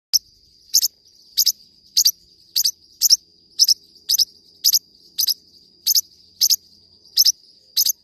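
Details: Forpus parrotlet singing: sharp, high double chirps repeated roughly every half second to second, each a quick paired tick, over a steady thin high-pitched tone that runs throughout.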